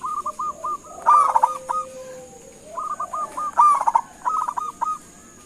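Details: Local zebra dove calling to draw an answer from other doves: bursts of short mellow cooing notes near one kilohertz, run together in stuttering phrases about every two and a half seconds, with a steady high hiss behind.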